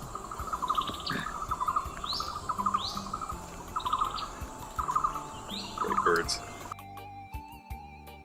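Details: Long-tailed broadbills (Psarisomus dalhousiae) near Di Linh, southern Vietnam, give harsh, buzzy repeated notes with higher whistled notes in quick bouts; faint background hum, then clicking and musical sounds close the clip.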